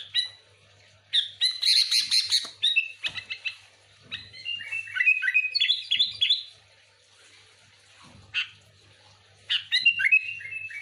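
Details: Energetic sooty-headed bulbul song for luring: bursts of fast chirps, harsh chattering notes and falling whistled slurs, repeated in bouts separated by brief pauses.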